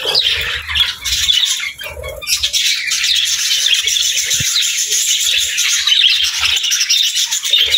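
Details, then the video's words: A group of budgerigars sings in a long stream of buzzy twitters and clicks, with a few softer low notes and faint knocks mixed in. "Parakeet Videos | Beautiful Birds Singing"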